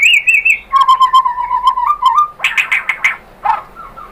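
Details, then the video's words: White-rumped shama singing, played to prompt another bird into song: a short high warble, then a long run of repeated mellow whistled notes, ending with loud buzzy chattering bursts. "PANCINGAN AMPUH ‼️ MURAI BATU JADI NYAUT GACOR BONGKAR MATERI ISIAN ¦ PANCINGAN MURAI ¦ SHAMA BIRD"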